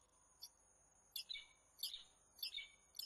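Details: Sharp, strained calls from a peregrine falcon in Włocławek, Poland, 15 January 2013. Five bursts arrive about every half second after a pause, each a harsh, overtone-rich note. Faint steady high tones run through the background.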